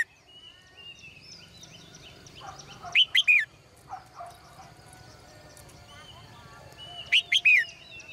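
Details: Caged female bird in the morning gives two bursts of three sharp high chirps about four seconds apart, while lower, softer chattering calls and faint twitters of other birds fill the gaps.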